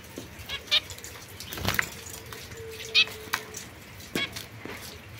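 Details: Caged young zebra finch pair, white hen and mosaic cock kept apart, 22 September 2024: three short, nasal, trumpet-like beeps spaced about a second apart, with a faint steady low hum and cage clicks.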